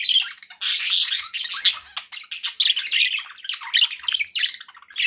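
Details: Cheerful pet budgies produce a dense, continuous torrent of squeaky chirps, grating warbles and sharp squawks, many birds calling over one another.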